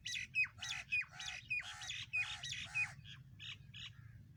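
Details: Black francolin (kala teeter) from Sindh, Pakistan, giving a rapid series of harsh, squawking notes, roughly two per second, each with a brief thin whistle, fading toward the end over steady low background rumble.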